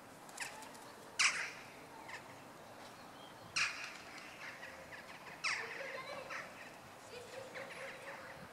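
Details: Western jackdaws in courtship display at a church in Nexon, France, on 16 March at 18:20; a few sharp, short calls at irregular intervals, the loudest near one, three and a half and five and a half seconds, over steady background hiss.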